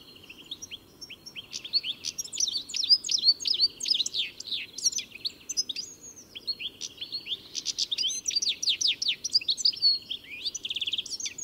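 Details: Long, clear European goldfinch song: lively, chattering runs of high liquid notes and rattling trills, repeated phrase after phrase with only brief gaps.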